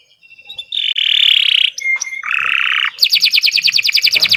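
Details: Long gacor song from a Kenari Nusantara canary: a harsh buzzy roll, a brief pure whistle, another buzzy roll, then a rapid, strongly repeated high trill of sharp notes.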